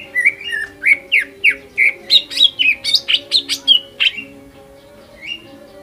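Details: Greater green leafbird lure song, full energetic material to set rivals singing: quick, evenly spaced whistles climbing higher mid-phrase into bright sharp notes, ending after four seconds with one last whistle; a low hum underneath.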